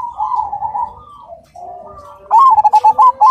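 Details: A Cemani zebra dove song: a soft, wavering coo from a nearby bird gives way to a loud, rhythmic string of quick, clipped, bouncing notes, strong and clear.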